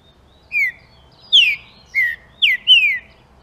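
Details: A green-winged saltator's song played to stimulate other saltators: a soft lead-in whistle followed by five strong downslurred whistled notes, varying in pitch, ending with two rapid notes in succession, against a faint low rumble.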